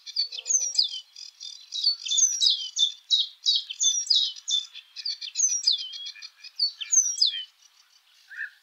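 Eurasian penduline tit singing thin, high, down-slurred whistles, repeated about once a second and woven with quick twittering notes.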